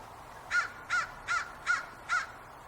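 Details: Crow cawing on a spring evening by a big walnut tree in Portland, giving short harsh caws evenly spaced about every 0.4 seconds against a quiet background.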